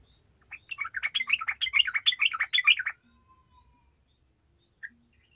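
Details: Energetic sooty-headed bulbul song used to stir lazy bulbuls into singing: a quick burst of warbled, bubbling notes for about two and a half seconds, then near silence broken by a single short chirp.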